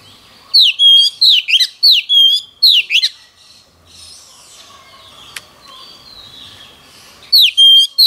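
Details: Oriental magpie-robin in daily singing practice: strong sweeping whistles that drop then rise again, delivered in a quick run of about eight notes over three seconds, then quiet background before a new burst of song.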